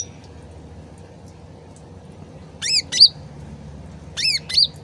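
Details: Sooty-headed bulbul lure recording for prompting fast replies. After a quiet stretch of trickling water, two paired bursts of bright, rising whistled notes arrive near the end.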